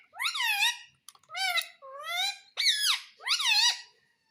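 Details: Pet parrot mimicking speech, saying words for mummy and papa and asking for roti: five loud, harmonic, voice-like phrases, each under a second, some gliding up and down, in a quiet room.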